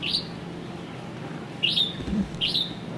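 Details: Red-whiskered bulbul on O`ahu, where it was introduced: three bright, quick chirps, each a sharp rising note dropping slightly at the end, over a constant low rumble.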